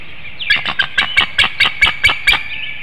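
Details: Female bald eagle incubating eggs on a nest in Hanover, Pennsylvania, early morning of 25 March 2019, calling her mate to come for a nest changeover, recorded by nest webcam; a rapid series of about nine sharp, squeaky, high chattering notes.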